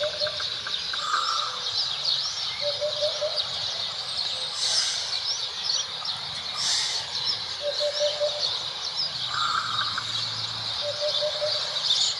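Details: Hoopoe song: low, mellow 'oop-oop-oop' triplets spaced several seconds apart, partly masked by loud continuous shrill insect noise, with a few faint other bird calls.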